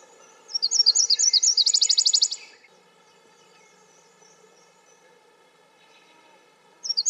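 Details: A Nashville Warbler (Leiothlypis ruficapilla) sings a high series of slurred two-part notes, then a quicker, buzzier trill; a second song begins at the end over a low steady hum.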